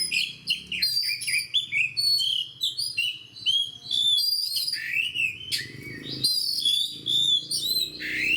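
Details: A fighter oriental magpie-robin pours out fast, varied song, with clear whistles, sweeping slurs, scratchy trills and crisp chirps in almost continuous phrases.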